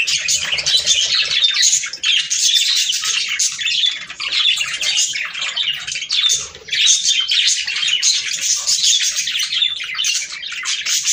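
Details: Budgerigars chattering, the sound used to stimulate breeding: dense, continuous squawky warbling and chirps, bright and high, with brief dips near two and seven seconds, possibly several birds indoors.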